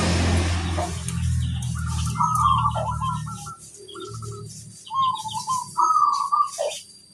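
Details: Local zebra dove song used as a lure for other zebra doves: a chain of quick, bubbling, stuttered coos repeated in short bursts, with a low rumble at the start and faint soft coos underneath.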